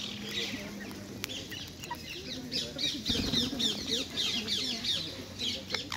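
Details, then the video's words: Wild rose-ringed parakeets feeding on sunflower seeds, nuts and apples in Hyde Park, London, give a dense stream of harsh, high, rapid chattering calls from several birds. A steady low hum and park noise sit underneath. "Wild ringneck parakeets enjoying 3 course meal in Hyde Park London"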